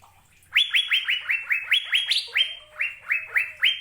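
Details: Asian fairy-bluebird (cucak biru) singing a fast series of about a dozen bright, downward-slurred whistled notes, evenly spaced, with a couple of higher sharper notes mixed in; quiet before the song begins.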